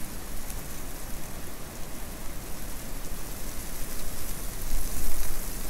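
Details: Steady hissing rain and rushing noise fill the whole recording, with no animal calls.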